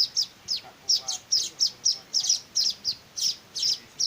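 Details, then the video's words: Hand-fed weaver nestlings beg with thin, piercing chirps repeated several times a second, occasionally paired, with a faint low tonal sound briefly underneath. "meloloh anakan burung Manyar"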